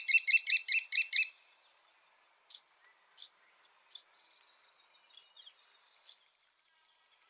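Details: Northern mockingbird, said to be able to render 200 sounds, opening with a rapid sequence of six harsh chattering notes, then spaced single sharp upswept whistles roughly once a second.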